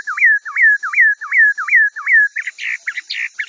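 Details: Chinese hwamei song meant for training kiacu birds: six clear swooping whistles, each rising then falling, followed by a jumble of short warbled notes.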